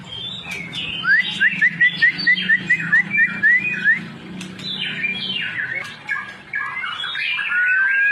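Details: White-rumped shama singing: a quick run of about a dozen sharp rising whistles, then varied rich warbled phrases and a final drawn-out whistle, over a low steady hum.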